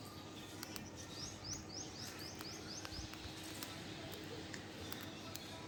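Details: Male cockatiel, described as in a happy mood, gives a quick run of thin, rising chirps.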